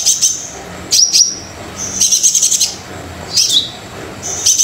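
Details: Brown-throated sunbird singing energetically, used to lure quiet sunbirds into song: bursts of high, thin twittering and sharp chips, some with fast trills, separated by short pauses.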